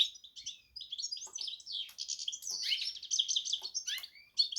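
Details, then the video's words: Warbling, chattering song of a goldfinch and canary cross, a stream of high chips, short trills and slurred whistles with brief dips in loudness; faint low tapping. "hybrid Carduelis x Canary"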